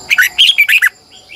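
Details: Red-whiskered bulbul decoy bird singing its morning song in a long, twisting double-voiced style; one quick phrase of five warbled, slurred whistles rising and falling, with a steady high electronic-like hum behind.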